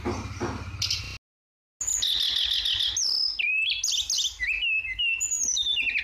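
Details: Flowerpecker song used as training material for kept songbirds: bright high chirps and thin whistled notes sliding up and down, with buzzy trills, after a brief silence; a low rumbling noise runs beneath at the start.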